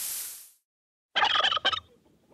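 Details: Farm turkey gobbling in a quick, bubbling, rattling burst of rapid notes lasting under a second, preceded by a short hissing whoosh and then silence.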